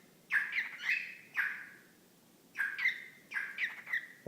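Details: Whiteface lutino cockatiel, male pet bird, chatting to a sock-type puppet: clustered raspy syllables sounding like "whatcha doing", two or three quick bursts per phrase with a pause between, indoors with little background noise.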